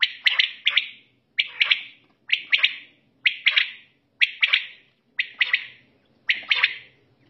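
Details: Quail calling at night, short sharp two- and three-note phrases repeated about once a second in a steady run, with a faint low hum behind and nothing else clear.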